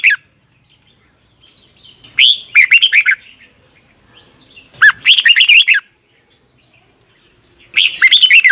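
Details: Red-whiskered bulbul song from Thailand, meant for young caged birds to learn: three phrases of bright rolling whistles, each roughly a second long, spaced about 2.7 seconds apart over a quiet background.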